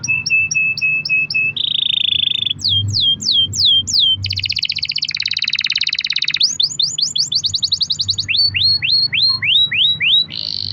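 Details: Canary delivering a long-rolling lure song for other canaries: clipped whistled notes, buzzy sustained passages, fast rising and falling trills switching tours every second or two, with a faint low hum.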